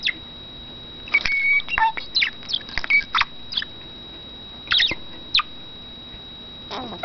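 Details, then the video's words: Pet male budgerigar kept in a cage, chattering: scattered short chirps, clicks and brief whistled notes between 1 and 5 seconds, with a steady faint high tone throughout and quiet gaps. "Aegis chatters"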